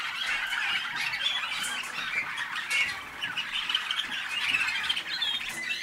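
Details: Captive Waterslager, or malinois, canary hatched in North Canton, Ohio, USA, 2010, delivering a steady stream of rolling, water-like trills and short bright whistles without pause.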